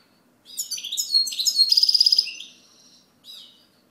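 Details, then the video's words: European goldfinch song: a lively stream of quick tinkling notes building into a rapid rattling trill, followed by a pause and one short soft chirp. "Chant Chardonneret"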